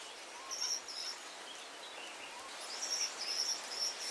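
A Gouldian finch gives thin, very high, hissing whistles in short bursts, faint against a steady background hiss.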